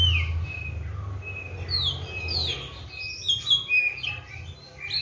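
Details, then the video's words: Caged Oriental magpie-robin, given seven crickets and bathed morning and evening, singing slurred descending whistles that build into a busier burst of high chirped notes near the end, with a background hum. "KACER GACOR"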